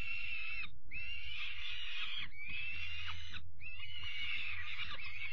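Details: Evening feeding of peregrine falcon chicks, 5 May 2021: repeated harsh, scratchy wails in sustained bursts, a short silence near the start, and low rumbling noise throughout.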